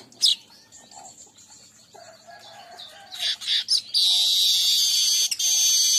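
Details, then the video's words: Weaver song used as a lure for weavers: scattered high chirps and thin whistles, then a loud, continuous buzzy sizzle that fills the last two seconds, broken by a brief gap. "Pancing burung Manyar"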